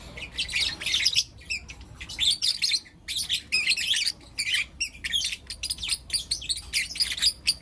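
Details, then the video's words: Lutino lovebird kids, four caged birds, give morning chirping: choppy bursts of shrill, raspy chatter and quick squeaks, stopping and restarting every second or so. "Lutino LoveBird Chirping Sounds"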